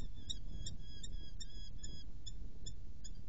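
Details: Female Eurasian hobby recorded in Hungary on 15 June 2014, giving a steady series of short, sharp, ringing calls about two or three per second, over a constant low rumbling background noise.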